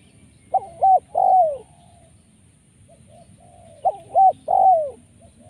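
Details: Tekukur, or spotted dove, giving the luring call known as 'poin penguasa makam', full of rolled 'rrr' tones: two phrases of a short coo, a mid coo and a drawn-out descending note, spaced about three seconds apart, with quiet background.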